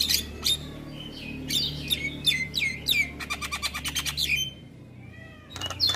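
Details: Javan myna song from a training recording meant to be played each morning to get mynas singing: varied rising and falling whistles and squawky notes, then a fast run of clicking chatter, a pause, and more whistles, with a low steady hum beneath.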